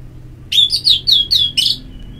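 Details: Short orange-headed thrush phrase from ngeplong therapy audio for stimulating song: five or six rich, descending whistled slurs in quick succession, loud and clear against quiet background.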